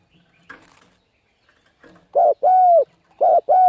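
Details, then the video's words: Spotted dove 'thúc gù' cooing, used to lure birds and coach young birds: faint scratching and rustling first, then two loud pairs of low coos, each a short note followed by a longer one. "Cu Gáy Thúc Gù Gáy Cực Phê Kích Mồi Tập Bổi Quá Hay"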